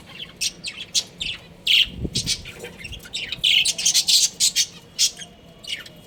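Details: Budgerigar breeding pair chattering busily: dense, scratchy high squawks and chirps in quick irregular bursts, some louder harsh notes, with a brief low thump near the start.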